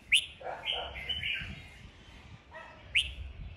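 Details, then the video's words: Red-whiskered bulbul singing in a duel between caged birds, meant to fire up a young bird. Sharp bright whistled notes open and close the recording, with softer lower warbles between them and a faint background hum. "Chào mào hót đấu"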